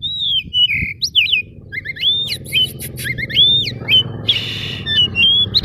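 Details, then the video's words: Oriental magpie-robin song used as a lure to provoke silent magpie-robins into answering: loud clear whistled phrases, sliding up and down, interspersed with harsh chattering notes, over a steady low background hum. "Pemanasan awal pancingan kacer gacor ngotot memancing kacer diam langsung on jadi emosi nyaut!"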